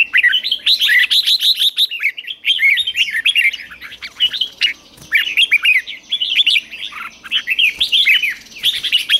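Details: Red-whiskered bulbul in a cage, practising fired-up morning ché song; dense, almost continuous cascades of bubbly rising and falling whistles for the whole stretch, barely pausing.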